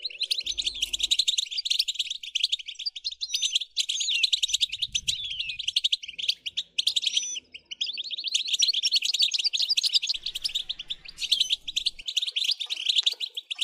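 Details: European goldfinch song intended to stimulate singing: dense, continuous twittering with buzzy trills and liquid tinkling notes, hardly pausing for fourteen seconds, over a faint low rumble.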